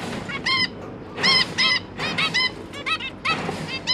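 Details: Zebra finch parents busy feeding their three newly hatched juvenile babies; short nasal honking calls with stacked harmonics, given in quick bursts of two or three, over a low steady background hum.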